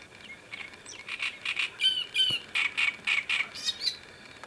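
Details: Great reed warbler singing on a bank of the Sviyaga river in late May 2017; strident rasping chatter of rough repeated notes, roughly ten syllables delivered rapidly with slight pitch shifts.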